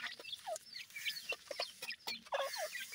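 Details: Week-old grey francolin chicks at feeding time utter thin downward-sliding peeps, several overlapping, between crisp clicks of pecking.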